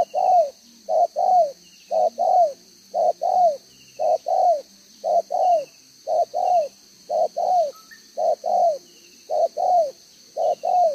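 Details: Decoy spotted dove cooing in the 'đồng gáy 1 hậu' style, June 2023: an unbroken series of soft coo pairs, a brief note then a drawn-out falling one, about eleven pairs in steady rhythm, faint bird chirps overhead.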